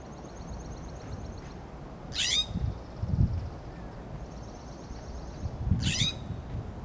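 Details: Scolding calls from a California scrub jay perched on a coast live oak branch in Del Monte Forest, California: two harsh, rasping, downslurred bursts about three and a half seconds apart, over faint high trills from another bird and low background rumble.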